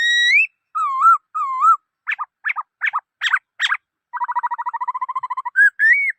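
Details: Black-throated laughingthrush singing: a long rising whistle, two wavering mid-pitched whistles, a run of sharp chopped notes, then a rapid even trill ending in short rising whistles. No other sounds.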